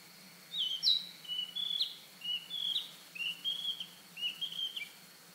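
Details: In spring, a Narcissus flycatcher perched on a pine branch in a pine forest sings persistently as if claiming territory: a run of bright, high whistled phrases, about five short slurred motifs in five seconds, over a faint low hum.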